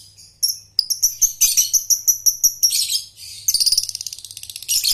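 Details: Lovebird trilling (ngekek) used to train young birds: a series of clear, evenly spaced whistled chirps speeding up, then melting into a fast rattling trill of rapid buzzy pulses with tight spacing.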